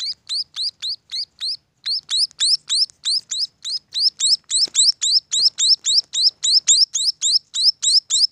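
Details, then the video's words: Munia chicks at a bird farm chirp rapidly, shrill rising notes in a continuous series about three to four per second, with a brief pause early on. "suara anakan burung emprit"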